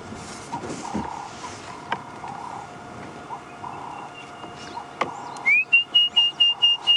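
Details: Orange-breasted bushshrike (Chlorophoneus sulfureopectus) on a sunset drive, 26 February 2016, amid excitement among the birds, gives a clear rising whistle then about six quick, even whistled notes; a dove coos softly earlier, faint engine hum behind.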